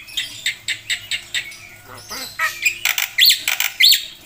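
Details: Singing black-winged myna with a song packed with filler phrases: a steady series of short, scratchy notes, then louder harsh bursts and two sharp, rising whistles at the end.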